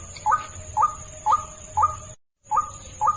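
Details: Luring call of the white-breasted waterhen: short rising notes repeated about twice a second, briefly cut by a moment of silence. A steady high-pitched electronic tone sits in the background.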